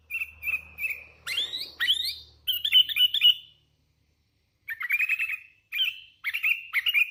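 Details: Sooty-headed bulbul, hand-raised and in full voice, gives clear chirped phrases and upward-swept whistles, a run of quick stuttered notes, a silent gap, then more short trilled bursts.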